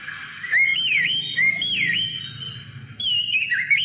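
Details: Oriental magpie-robin singing to provoke other birds into song: clear whistled phrases with sliding, dipping notes, loud bursts at about half a second, one and a half seconds and three seconds, over a low steady background hum.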